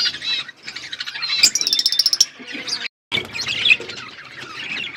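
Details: Outdoor aviary flock of budgerigars: lively high chatter with a run of rapid, evenly repeated ticking notes, a brief silent break, then more overlapping warbles and squeaks.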